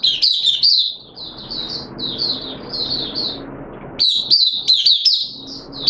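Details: Oriental white-eye, or mata puteh, a caged hobby bird in wet weather, gives soft high twittering notes, goes quiet for about two seconds under background noise, then bursts into loud rapid song.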